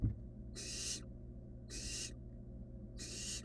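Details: Barn owl nestling beside a rabbit gives three long, harsh, broadband hisses, each about half a second, evenly spaced over low steady background hum.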